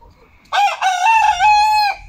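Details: Chicken from a backyard flock recorded on Monday, 10 October 2022, a day with eight eggs laid. One loud, harmonically rich crow holds a steady, slightly wavering pitch for about one and a half seconds before breaking off abruptly.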